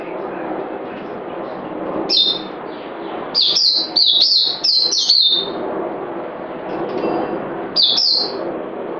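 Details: Bursts of sharp, high whistled phrases from a bird, each note dropping in pitch, delivered in a fast cluster mid-way and single short phrases before and after, with constant low background noise.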